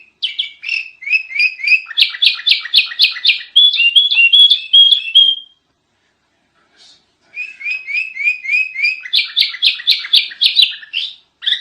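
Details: Noisy kutilang (sooty-headed bulbul) tutor recording: fast strings of bright chirped and whistled notes pour out for about five seconds, then a short silence, then another rapid chattering run of clear, high notes.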